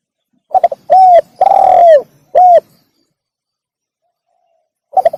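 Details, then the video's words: One complete spotted dove phrase, played to draw in wild doves: quick stammered notes, a mellow coo, a long rasping downslurred coo, a brief final coo, then silence and the first stutter of the next. "suara burung tekukur derkuku untuk pikat"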